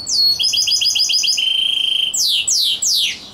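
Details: Rosefinch x canary mule in loud song: a fast series of repeated whistled trill notes, a steady held tone, then three steep descending sweeping notes.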